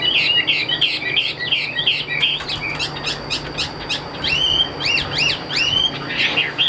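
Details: Tame caged Chinese hwamei singing from a high perch with wing display: quick tangled whistles, then clear rising and falling swooping notes repeated several times in succession.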